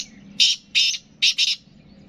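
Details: Black francolin, known locally as kala teetar; loud harsh grating notes, four bursts in two seconds, the last one doubled.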